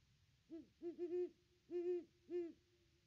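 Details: At the nest tree on Christmas Day 2021, a great horned owl of a visiting pair gives deep, mellow hoots: two short notes, a run-together double hoot, then two longer hoots about half a second apart, quiet background.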